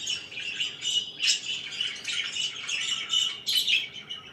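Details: Pet budgerigars chirping in the morning: a dense, continuous chatter of squawky, buzzy chirps and warbles, with brief louder bursts around the middle and near the end.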